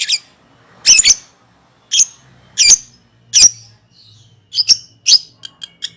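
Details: Lovebird calling in the ngekek style used to lure birds: harsh, rasping double screeches repeated about once a second, ending in quick, thin high chirps.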